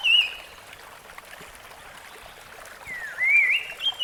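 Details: Rusty-fronted barwing singing in the wild: a short whistled note opens, then after a pause a longer phrase dips and rises in clear whistled slurs, over steady rushing water.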